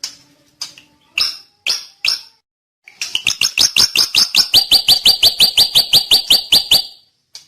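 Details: Drongo singing: a few sharp separate notes, then a fast run of about twenty-five clipped, ringing high chips repeated in steady rhythm for four seconds.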